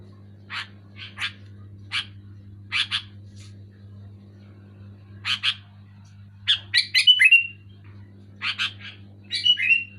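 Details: A Sooty-headed bulbul, singing loud and clear, gives a run of separate dry chirps, then livelier tumbling phrases ending in falling whistled notes, all over a steady low hum.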